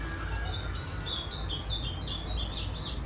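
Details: Moulting pet ultramarine grosbeak, January 2021, giving a continuous string of quick, slurred, high whistled notes over a steady low rumble.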